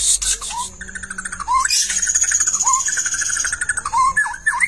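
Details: Long-tailed white-rumped shama, played to spur another bird into full song, giving loud varied whistles and swooping notes mixed with buzzy rattles, over a persistent high ringing tone and low background hum.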